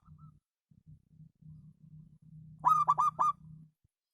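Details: Local perkutut, the zebra dove, delivers one phrase of four rapid, ringing coos after stretches of low pulsing rumble, with a faint thin whistle at the start.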